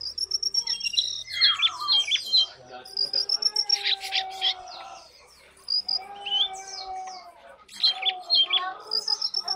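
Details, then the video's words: Lesser shortwing song in short, repeated high phrases of sharp tinkling notes and quick trills, separated by brief pauses, with lower sustained tones faintly underneath. "lesser shortwing"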